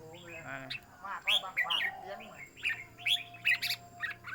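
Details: Red-whiskered bulbul kept as a cage bird, singing during a phrase-counting song contest: quick clear chirped notes in short bursts, a few per second, over human voices and a low steady hum.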